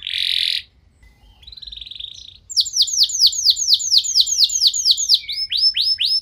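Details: Canary singing a 'nembak' style lure song, played to set other canaries singing: a harsh buzzy burst, a thin fine trill, then a rapid run of about twelve high, downward-sweeping notes and a final series of shorter sweeps.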